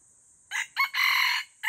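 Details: Red junglefowl crowing in the forest: a hoarse, broken crow in three parts, two short bursts and then a longer drawn-out final note, with a new crow starting at the end over a steady high hiss.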